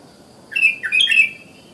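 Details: Natural morning calling of a sooty-headed bulbul (kutilang), calling other bulbuls to join in. A quick burst of a few bright, chirpy notes lasts under a second, over a faint hiss.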